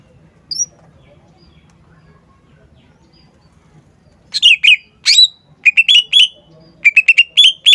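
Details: Green leafbird song: after a long quiet stretch, bright descending slurs begin. They give way to quick repeated chirps in clustered bursts, with a low background hum throughout.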